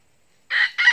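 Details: A red junglefowl gives a short, harsh crow in two quick hoarse bursts after a moment of silence, cut off at the end; recording used as a trapping lure.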